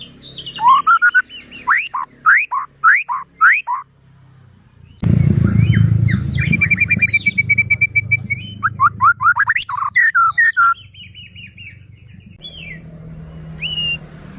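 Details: White-rumped shama song meant to provoke other shamas into singing: a series of loud upslurred whistles, then a steady run of repeated notes and varied chattering phrases over a loud low rumble.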